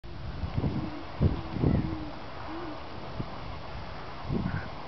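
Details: A mated pair of Great Horned Owls duet in Forest Park, St. Louis, Missouri, on 5 December 2010 during mating season, trading deep, soft hoots, a short rhythmic series answered by a different voice, before mating.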